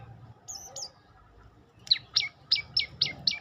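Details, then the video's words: Olive-backed tailorbird singing: a pair of high, slurred whistles, a pause, then six loud, emphatic chipping notes spaced roughly a third of a second apart, with faint low background hum. "Kicau indah burung prenjak lumut"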